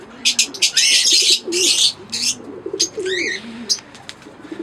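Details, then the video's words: Fischer's lovebirds, a green pair and an albino red-eyed pair, chirping: dense bursts of harsh, high, shrill chirps and squeaky rising notes in quick irregular runs, with brief pauses and a low hum underneath. "Singing & Chirping Sounds - Green Fischer Pair"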